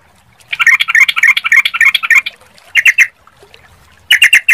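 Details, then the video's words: Yellow-vented bulbul (trucukan) gives a rapid run of harsh, bubbly chattering notes for about two seconds, then a short three-note burst and another quick chatter. "Suara Trucukan"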